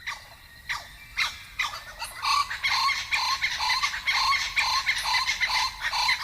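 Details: Blue-winged kookaburras in Kakadu, far northern Australia, one of a nesting pair in an old gum tree, give a harsh, raucous cackling territorial chorus of rapid barking notes, about two per second, building after scattered opening notes; their daily calls proclaim territory ownership.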